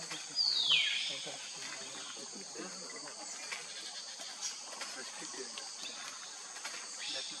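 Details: A Rusty-tailed flycatcher foraging for food gives one sharp, high note that slides steeply downward. A steady high insect hiss continues for the rest of the clip.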